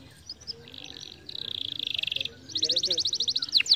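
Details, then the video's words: Canary song meant to get lazy canaries singing: scattered chirps, then a long fast buzzy trill, then a louder, quicker rattling series of bright notes ending in sweeping whistles. "muito bom para estimular o som de canários preguiçosos"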